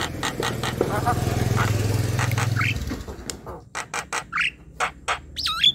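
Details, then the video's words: A young Javan myna gives a rapid run of harsh, scratchy squawks and clicks, broken by a few squeaky upslurred whistles, over a low engine rumble that fades midway. "Suara jalak kebo gacor"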